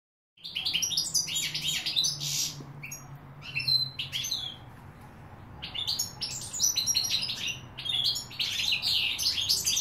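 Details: European goldfinch singing: bursts of bright, tinkling, twittering high notes and buzzy trills, repeated in clusters with short pauses, a faint low hum beneath.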